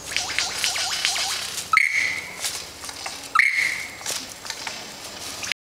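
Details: Lyrebird singing and dancing on a Katoomba forest walk in January 2013: a quick run of bright, downward-flicking notes, then two long, steady, high whistles with sharp starts, a second and a half apart, over faint hum.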